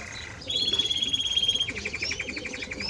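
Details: Timbrado Español canary song opening with a long steady whistled note, then a rapid even metallic trill of many pulses, ending in quick rising slurred notes over a faint background hiss.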